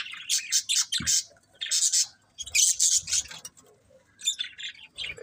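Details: Budgerigars chirping in short bursts of harsh, high twittering, each lasting under a second, separated by brief pauses, with softer tweets near the end.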